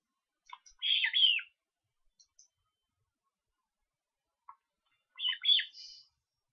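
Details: Osprey nestlings in Estonia, 13 July, calling while being fed: two separate bursts of shrill, squealing chirps, each about a second long, separated by near silence with a few faint clicks.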